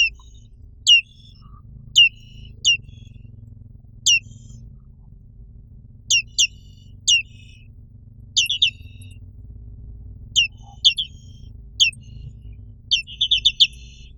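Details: Black-capped white-eye, a white-eye found only in Indonesia, named for its black forehead: a lively series of short high descending chirps, singly and in quick pairs, ending in a rapid burst of four notes.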